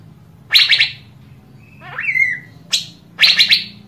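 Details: Asian fairy-bluebird calling to stimulate other birds into song: a rapid triple-note burst, then a drawn-out rising and falling whistle, a single sharp note, and another fast triple burst, over a low steady hum.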